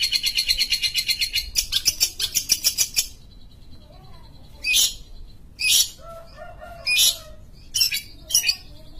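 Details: Long-tailed shrike, or pentet, from Sumatra, singing energetically: about three seconds of fast, evenly repeated grating pulses, then a quieter gap and a series of separate short harsh bursts mixed with soft whistled notes.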